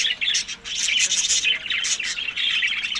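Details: Budgies at summer food in Larkana, Sindh, May to June; an unbroken mass of high squeaky chirps and scratchy squawks from several birds.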